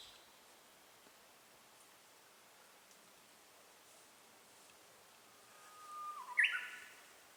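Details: Japanese bush warbler in song, handheld camera recording: after a long quiet stretch, a faint level whistle swells, then breaks into a short, loud, abrupt flourish near the end. Low steady background hiss.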